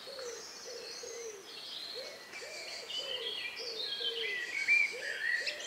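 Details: Birds at dusk in the countryside on May 2, 2020, around 9 p.m. Soft, low, hooting notes pulse in a loose steady series, nearly two per second, while high whistles and twitters grow louder toward the end.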